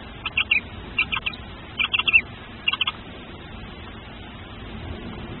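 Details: Newly hatching tawny owl chick, filmed on a nest camera, giving short bursts of high, thin squeaky peeps in quick clusters of three to four, separated by brief pauses, over a low steady background hiss.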